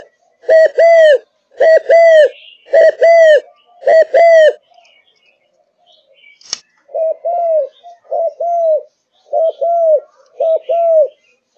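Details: Malaysian spotted dove in a cage, in peak form: loud, resonant coos in rapid paired phrases, a brief pause broken by a single click, then another series of softer coos.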